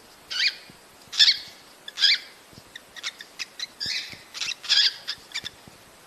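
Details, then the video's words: Cockatiel mating call for encouraging breeding: harsh chirps repeated a little more than once per second, followed by softer, rapid chattering notes. "تحفيز طيور الكوكتيل على التزاوج بعد سماع هذا المقطع باذن الله"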